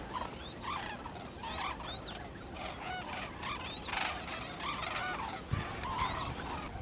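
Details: A trumpeting flock of White-naped cranes feeding in fields beside Junam Reservoir in South Korea, some flying overhead. Many overlapping rising-and-falling bugling notes follow one another steadily, with a soft background hiss.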